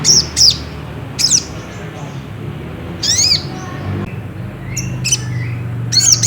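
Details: Lure song of the Ruby-cheeked sunbird to provoke singing: scattered high, thin, sharply slurred notes, some paired and some single, at irregular spacing with low background hum.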